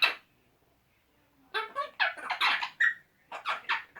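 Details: Two male Eclectus parrots making silly noises together: an opening squawk, a silent gap, then a dense run of harsh, rasping and squeaky syllables with one brief whistled note.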